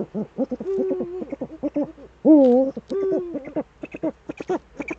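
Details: Eurasian eagle-owls in the Eifel, Germany, evening of 11 March 2013 at 18:47, both owls back again: quick runs of short, hoarse notes broken by a few longer, wavering hoots at mid pitch.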